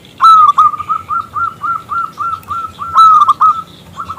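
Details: Local zebra dove calling a male to sing, its voice big and crystal-clear: two loud clipped coo bursts framing a steady chain of rapid, medium-loud, repeated notes about every quarter second.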